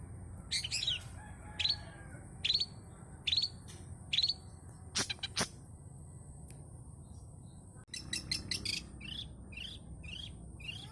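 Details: Long-tailed shrike song, a lure recording rich in mimicked phrases: repeated sharp rising chirps about once a second, then a couple of clicks and a fast burst of twittering notes over low background hum.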